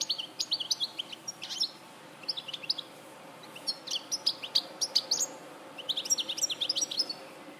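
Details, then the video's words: European goldfinch in Larache, 2014, delivering bursts of bright, high twittering notes and short trills separated by short pauses, over a soft background hiss. "Jilguero Larache 2014"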